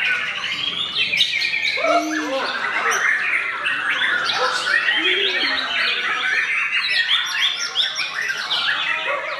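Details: A young murai, no champion yet but already stylish, sings during the late-afternoon wait to break the Ramadan fast: a busy, unbroken medley of sharp chirps, quick trills and rising and falling whistles over a few lower arched notes.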